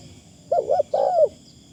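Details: A single phrase from a decoy Spotted Dove, light 'karom' style: a quavering double coo followed by a longer, smooth coo that slides down at the end, over a faint background hum.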